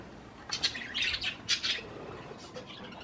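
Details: Budgerigars eating cherry tomatoes give a few short, harsh chirps in quick bursts between brief quiet gaps, recorded in a small indoor room.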